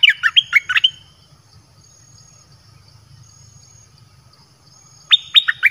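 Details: Song of a caged red-whiskered bulbul used as a lure for wild birds: a burst of rapid, downslurred whistles, then a long quiet gap with soft background rumble, and a second burst starting at the end.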